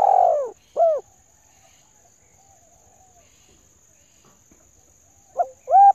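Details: Female spotted dove call, used to excite decoy birds; short arched cooing notes open the recording, then a long quiet gap before two more soft coos close it.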